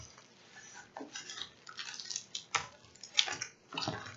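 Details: Irregular clinking, rattling and crinkling of small packets and containers being handled indoors, in uneven bursts with quiet gaps, with no animal voice anywhere.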